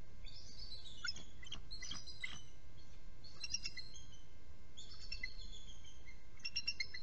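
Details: Bald eagles, one of a trio at a nest, recorded by a nest camera around a nest relief: bursts of high, thin, chittering notes descending in short series, repeated several times over steady low rumble and faint electrical hum.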